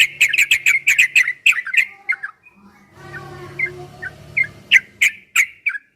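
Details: Yellow-vented bulbul ropel song for making kept birds respond: a rapid burst of clicking chirps, a quiet gap with faint hum, then a few more slurred notes and clicks.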